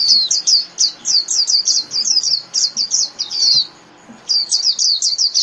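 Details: Japanese white-eye calling its flock: rapid high, thin twittering notes in quick bursts, a brief pause near four seconds, then the twitter resumes.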